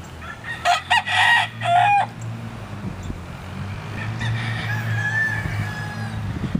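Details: Several roosters at Poplar Hill: one loud, harsh, harmonic crow broken into pulses over about a second and a half, followed by a fainter, more distant crow, with a low rumbling hum in the background.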